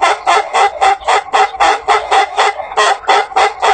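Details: Long crow of an Ayam Ketawa cock, a long-crowing breed from South Sulawesi, Indonesia, prized for a laugh-like crow; loud clipped syllables repeat almost four times a second, pausing briefly before resuming the same chuckling rhythm.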